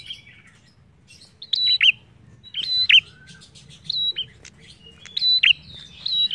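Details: Prinia (prenjak) in full song, used as a lure to stir other birds into singing: repeated high whistled notes ending in quick downward flicks, delivered in irregular bursts after a quiet opening second.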